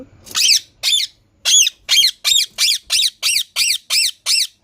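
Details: Green parrot giving a steady series of about eleven harsh, chevron-shaped squawks, each roughly a third of a second long and repeated about twice a second, in a quiet room.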